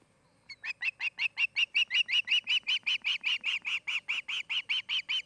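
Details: Nest-camera recording of an osprey in Charlo, Montana, 8 August 2018, mid-afternoon: after a brief silence, a loud, steady run of piercing whistled yelps begins, each note repeated evenly about two and a half times per second.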